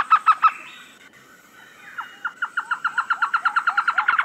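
A trogon gives three loud hollow notes, then a long series of mellow, evenly pitched notes that speeds up into a rapid run.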